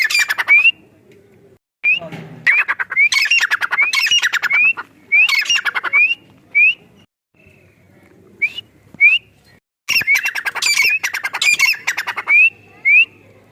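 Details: Calling female francolin (teetar) from Rahim Yar Khan in Pakistan's Punjab, a hunting call: loud bouts of raspy, grating notes, each ending in a sharply rising whistle, repeated in runs separated by short pauses.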